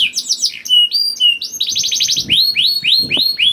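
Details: Lure song from a young canary to get reluctant canaries singing: mixed chips and short whistles, a rapid trill, then a run of evenly repeated rising whistles about four per second.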